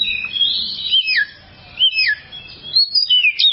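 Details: Oriental magpie-robin tutor song for training kept birds: three clear whistled phrases, each a high note that slurs smoothly downward, separated by brief quiet gaps.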